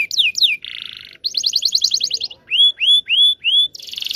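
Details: Long canary song meant to train young canaries to sing: high descending whistles, then a buzzy rattling burst, a fast bright trill, four clear rising whistled notes in a row, and a final harsh buzzy phrase.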